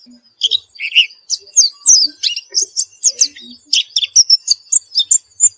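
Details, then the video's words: White-eye after therapy in continuous song, with a jumble of quick high tweets, short slurred notes and some lower chirps, building into a dense stream of sharp notes toward the end. "Gila nie pleci setelah diterapi gacor terus"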